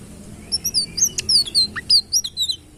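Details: Sitrun bird delivering a short burst of high, clear chirps, several with down-slurred whistles and one rising note, spaced roughly every fifth of a second over a quiet low hum.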